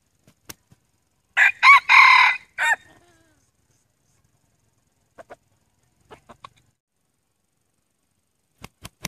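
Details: Male red junglefowl kept as a decoy bird to lure wild junglefowl, crowing: one harsh, harmonic call broken into several joined segments, lasting about a second and a half, followed by faint scattered clicks and taps.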